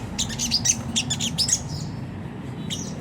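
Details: Sunda whistling thrush giving rough ngriwik kasar chattering as a lure for caged birds: a quick series of harsh high notes for about a second and a half, then quiet and one last burst, with low humming behind.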